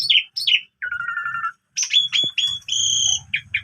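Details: Asian pied starling in full morning song with imitations: two quick falling whistles, a long wavering buzzy note, then rapid bright chirps and an extended high whistle over a soft low rumble.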